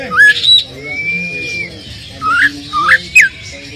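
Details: Oriental magpie-robin lure song, played to provoke a less aggressive bird into answering: a few clear whistles, one long level whistle, then short rising and falling whistled notes separated by pauses.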